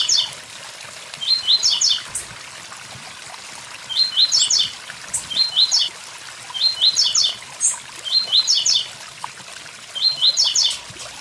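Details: Blue-black grassquit near a waterfall delivering a series of six buzzy phrases, each a quick cluster of upslurred chips, repeated about every 1.6 seconds over rushing water.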